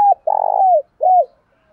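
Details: Spotted dove, a decoy bird, calling in the morning: a tail of one note, then a long, rolling, purring coo that slides down, followed by a shorter, clear downward-curving coo. No other sounds.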